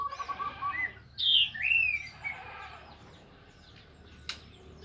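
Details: Orange-headed thrush singing in the morning to stir other thrushes to sing; a quick warbled start, then loud high whistled slurs sweeping downward, followed by near quiet and a single sharp click.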